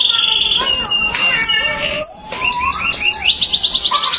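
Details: Canary song mixing a buzzy high trill, warbled notes and a clear whistled tone, then a short break and a fast run of repeated chirps.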